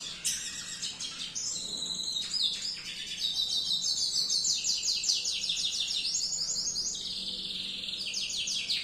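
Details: Canary in 'gacor' singing, a sweet song kept as masteran for training other birds: an almost unbroken stream of high, rapid trills and rolling chirped phrases lasting nearly nine seconds, over a faint low background hum.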